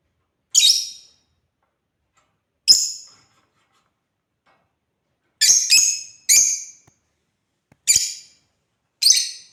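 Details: Pet African lovebirds playing: isolated shrill, piercing chirps spaced irregularly, some in quick pairs, with long quiet gaps between them.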